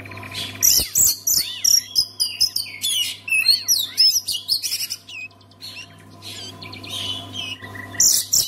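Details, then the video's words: Song of an Oriental magpie-robin, used to prompt other magpie-robins into singing; loud bursts of bright whistles, rising and falling slurs and dense scratchy trills, pausing briefly mid-phrase, over a constant low hum. "SEKALI DENGAR KICAUAN KACER INI PASTI LANGSUNG GACOR"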